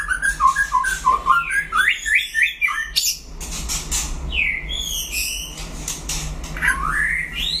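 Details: In a solo song duel, a white-rumped shama delivers rich rolling whistles and tumbling slurred phrases, a quieter scratchy passage midway, then loud rising whistled notes near the end over a constant low hum.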